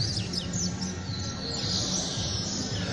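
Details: Young Double-collared seedeaters (coleiro) from a captive breeding aviary give high, thin twittering song in quick broken bursts of chirps, over a steady low rumble; one is a tournament-winning young male.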